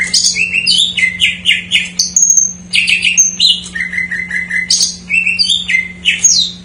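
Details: Greater green leafbird song filling in as a lure for silent birds, varied quick whistled and chirped notes, some falling, some slurred, in lively rapid phrases over a low constant hum.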